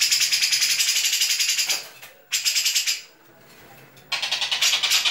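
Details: National-champion Grey-cheeked bulbul (Alophoixus bres) in a song contest sings a full mimicked repertoire in harsh, rapid bursts of scratchy high chatter, like squabbling sparrows, broken by brief pauses.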